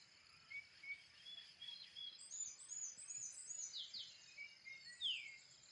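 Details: Wild birds at sunrise on Mt. Puluy, several distant high thin chirps and short whistled notes scattered over a steady hiss of background noise.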